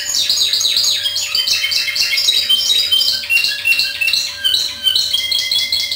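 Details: Timbrado canary in discontinuous style delivering a loud, dense run of rolling trills and quick repeated notes, phrases pouring out with only brief gaps over six seconds, a constant faint mains hum in the background.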